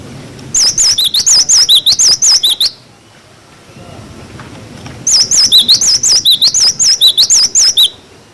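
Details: Cinereous tit giving a clear-voiced tutor song for young birds: sweet wavy whistles in quick wucit-wucit pairs, two long phrases separated by a short quiet spell.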